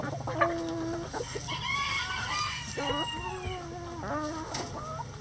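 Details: Rooster crowing in a chicken coop: several long, bending tonal calls in the middle seconds, surrounded by repeated short clucks from other chickens, with a low hum underneath.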